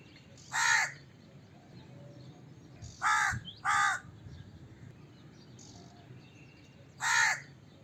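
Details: Crow calling with coarse caws: one caw, then a quick double, then another single caw after a pause, with a soft low rumble behind.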